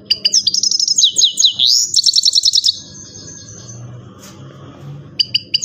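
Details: Himalayan goldfinch singing a fast, varied song of bright repeated chirps and trills, with sweeping rising notes and rapid buzzy phrases, pausing midway before a final burst of sharp high chips.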